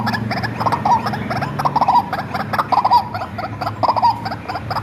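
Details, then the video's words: White-breasted waterhen reared by hand since it was small, its call used to lure birds: loud rasping croaks grouped in bursts about once per second, with a low droning hum underneath. "SUARA BURUNG RUAK-RUAK ASLI RAWATAN DARI KECIL MASTERAN TER AMPUH"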